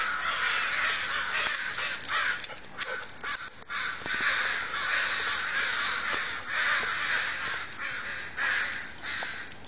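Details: Crows in a tree call harshly, with rough caws repeating about twice a second in a loose, overlapping rhythm.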